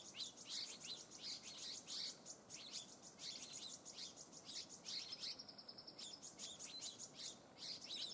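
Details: Springtime at Eaglenest Pass in Arunachal Pradesh, India, 2019: a flock of stripe-throated yuhinas feeding on rhododendron nectar gives a steady stream of sharp, high twittering notes, clustered in short bursts with brief pauses between them.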